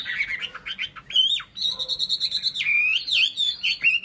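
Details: Chinese hwamei kept as a cage bird, singing loudly: a fluid run of rich whistles, long held clear tones and fast rolling trills with varied slurred phrases.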